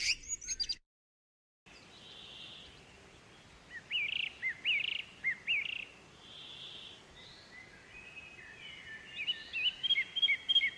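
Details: Juvenile white-eye begging at feeding time, voracious despite its small size: a short chirp burst, a brief gap, soft hissy notes and a few sharp down-slurred chirps, ending in quick high repeated twitters over steady background hiss.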